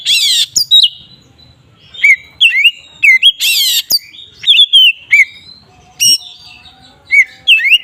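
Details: Oriental magpie-robin "ngeplong" song, a provocation for other magpie-robins: harsh scratchy outbursts at the start and middle, each followed by clear upslurred and downslurred whistles, with short chirps between.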